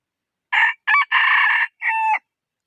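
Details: Rooster crowing once in a loud, clear four-part cock-a-doodle-doo: two short harsh notes, a longer sustained middle note, then a shorter ringing final note, lasting about one and a half seconds against silence.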